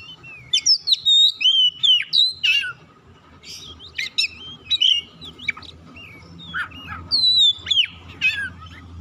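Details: White-rumped shama song meant to call and stimulate other birds to sing: rich, varied whistled phrases with slurred rising and falling notes, sharp chips and brief trills, delivered in quick bursts with short pauses between.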